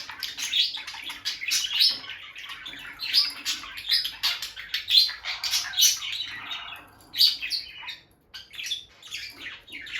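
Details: Pet peach-faced lovebirds, a bonded male and female by the nest box, chattering steadily in scratchy high chirps, with a short pause near the end before the calls resume.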